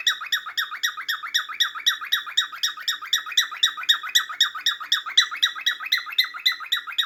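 A cockatiel gives a fast run of harsh, repeated chirping squawks, about four each second.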